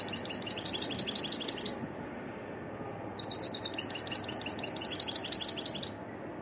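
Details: A wild European goldfinch gives two long runs of fast, evenly spaced liquid tinkling notes, high and chattering, the first under two seconds and the second about three, with a pause between.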